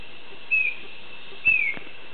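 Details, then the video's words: A male Chestnut-backed Antbird sings at La Selva Biological Station, Costa Rica: two clear, high whistled notes about a second apart, each sliding slightly downward, over a faint background hiss. "Chestnut-backed Antbird song"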